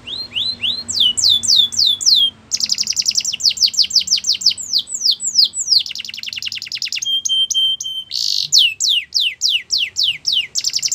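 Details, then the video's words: Belgian canary song intended to set other canaries singing, varied phrases of swooping falling notes, quick rattles, a brief flat whistle and a buzzy burst, switching pattern every couple of seconds. "Special canaries to seduce all the canaries to make them sing | Belgian canary"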